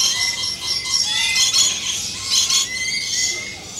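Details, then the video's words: Lorikeets calling in their natural habitat: continuous high, shrill chatter with thin whistled tones sliding through it and pulsing screechy bursts throughout. "Lorikeet Birds in their natural habitat"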